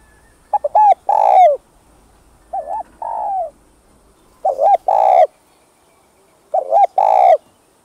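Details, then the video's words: Spotted dove cooing, recording played to rouse doves: four coo phrases roughly every two seconds, each a quick looping note or two then a longer buzzy coo, one phrase softer. "Tiếng Cu Gáy Giọng Hấp Dẫn ĐỦ BÀI [GÁY GỌI,THÚC,GÙ ] Kích Bổi Nhanh Nổi"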